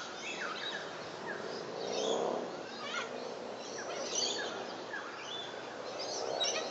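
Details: Little corellas give harsh, scratchy screeches that overlap in a noisy chorus, some sliding downward, over a steady hiss of background noise; recorded 30 August 2011.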